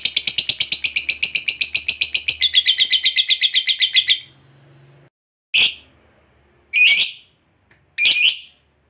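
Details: Lovebird calling to companions with a long chatter: four seconds of rapid shrill buzzing notes, then silence broken by three separate harsh squawks.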